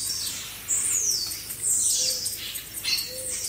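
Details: Blue-black grassquits from a group recording used to train caged birds. Two bright, buzzy notes slide sharply downward about a second apart, over a softer background of similar distant buzzes and a faint low note.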